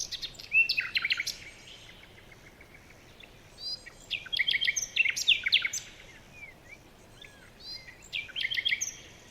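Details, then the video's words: Birds chirping in a forest in the morning: bursts of bright, high twittering phrases from several birds, with sharp rising and falling notes, separated by brief quiet gaps over a soft background hiss. "Morning birds chirping sounds"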